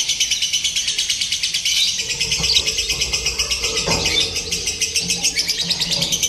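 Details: Simulated lovebird singing contest for training: unbroken, shrill, buzzy chatter from several birds, throbbing in rapid regular pulses, with soft background voices and knocks.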